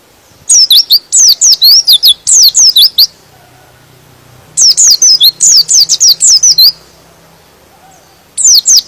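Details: Pleci, or white-eye, singing in the chatty gacor style that provokes rival birds: three fast runs of high, sweeping chirps, a pause, two more rapid runs, then a final short burst.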